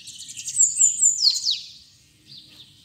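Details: Bananaquit (sibite) singing in the "trica ferro" style, phrased as "pitxiu pitxiu": a high, thin run of rapid sibilant notes with a few sharp descending slurs, then a pause and a softer, shorter closing phrase.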